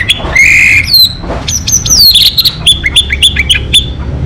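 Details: Local orange-headed thrush in full song: a long clear whistle, then a rich run of varied rising and falling whistled phrases and quick sharp chirps, delivered loudly and almost without pause over faint low background hum.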